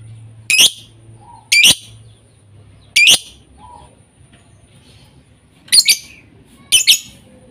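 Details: Lovebird sound used as a lure to get other lovebirds singing: five loud, harsh, shrill chattering bursts, each under half a second, spaced one to three seconds apart with quiet gaps between.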